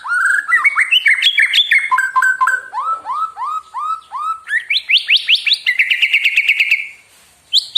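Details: White-rumped shama song used as a lure to provoke other birds into singing: loud, rapid, varied whistled phrases, rising and falling sweeps and fast repeated notes, ending in a sustained buzzy trill.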